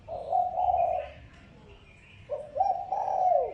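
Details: Lure calling of a spotted dove meant to draw in other doves, heard as a long steady low coo, a pause, then a clipped note and another long coo falling at the end; faint room hiss behind.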